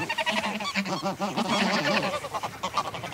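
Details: Flock of greylag geese recorded close up, giving excitable calls with wing-flaps, a mallard calling in the distance: dense overlapping nasal honks with wavering, rippling pitch, a continuous chorus for two seconds, then scattered shorter honks.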